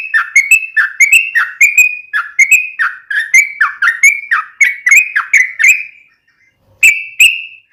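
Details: Yellow-vented bulbul singing steadily, a recording meant for daily training of other birds: a string of sharp, slurred whistles, each dropping then rising, about two per second, pausing before two final notes.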